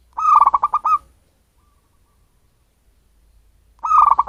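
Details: Zebra dove of local wild stock, calling to lure birds: a quick rippling string of about seven pulsed coos, a long quiet gap, then the same burst starts again near the end.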